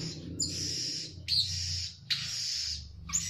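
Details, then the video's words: Blue-crowned hanging parrot lure call used for trapping birds: three long, high, hissing-buzzy notes of under a second each, separated by brief sharp chips, over a steady low hum. "Pikat Serindit Garang"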